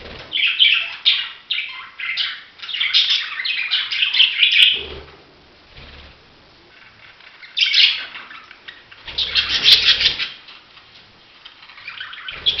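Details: Budgerigars chattering in bursts of fast, scratchy warbled chirps, a few seconds each, separated by short quiet gaps, with the flock busiest near the start and again toward the end.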